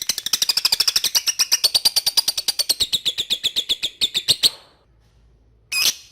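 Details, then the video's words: Lovebird ngekek: a fast, harsh, high chatter of evenly spaced notes lasting about four and a half seconds. A brief silence follows before a short loud burst at the end. Used to train young birds to chatter. "LOVE BIRD NGETIK MEMANGGILLAWAN AGAR RAJIN NGEKEK"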